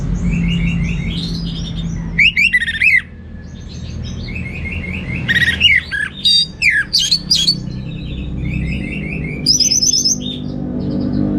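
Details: Orange-headed thrush singing richly in teler style: several irregular bursts of sharp, buzzy and whistled notes, some fast trills and slurs, separated by softer repeated twittering and a steady low hum.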